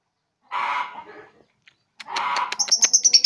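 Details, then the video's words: Young three-month-old lovebird learning to chatter (ngekek): two harsh, raspy bursts, then a rapid run of shrill, high squeaky notes repeated several times a second. "LOVE BIRD PAUD 3 BULAN BELAJAR NGEKEK !!!"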